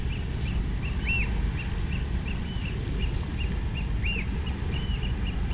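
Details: Oystercatcher on a beach near a lighthouse in the morning, giving shrill piping peeps, several a second in loose bursts with some notes arched and louder, over a steady roar of surf and wind.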